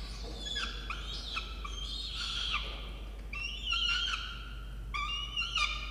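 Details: Peregrine falcon chicks in a nest box on a university campus in Orange, New South Wales, Australia, in November: harsh, wavering screeching calls in repeated bursts, over steady low hum.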